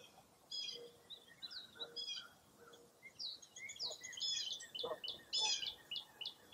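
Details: Several wild birds singing together at Mirror Lake State Park in Baraboo, Wisconsin, on a foggy early April morning; high bright phrases overlap irregularly with soft lower whistles, growing busier toward the end.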